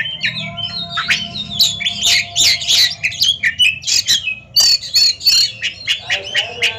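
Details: Caged Oriental magpie-robins dueling in a song competition: harsh, scratchy squawks mixed with high rapid chattering and whistled fragments in an almost unbroken stream, with a faint low hum behind.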